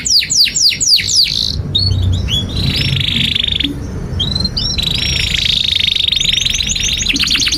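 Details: Canary song used as a master track for teaching young canaries and stalled singers: opening descending whistled sweeps, then long buzzy trills and rapid chirps around the upper register, with low background hum.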